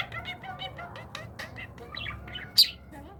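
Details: Budgerigar being trained to talk, pouring out a rapid, harmonic warbling chatter of short wavering notes, then a single loud sharp chirp near the end.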